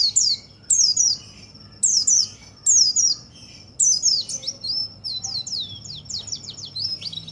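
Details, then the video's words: White-eye song used to stimulate other white-eyes: loud, high, sharply descending chirped phrases repeated about every second, then a fast run of thin twitters rising and falling; faint low hum underneath. "perangsang semua burung pleci.!!"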